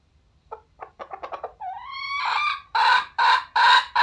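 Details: Red junglefowl, recorded 21 November 2022: a series of short quickening clucks leads into a drawn-out rising harmonic note, then three loud, raspy bursts in quick succession; quiet background.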